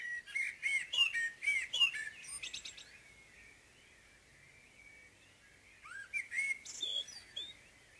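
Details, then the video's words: A common blackbird in morning song gives a mellow, fluted warbling phrase ending in a thin, high twitter; after a pause of about three seconds, a second rich phrase begins. "Morgensang - Solsort - Blackbird"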